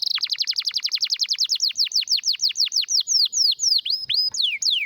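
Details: Canary with a strong, rare song: a long series of about twenty-five whistled notes, each sweeping steeply downward, starting fast and slowing gradually toward the end.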